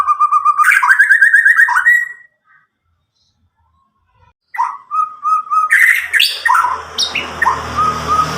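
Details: Caged white-rumped shama from Medan, roughly nine months old, song meant to prompt young birds to sing; a whistled trill and rising notes, a two-second pause, then further phrases over a low background hum.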